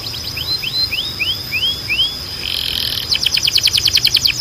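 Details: Canary training song meant to stimulate singing: a series of five rising whistled slurs about every 0.4 seconds, then a fast trilled burst of rapid repeated notes, over a steady high tone.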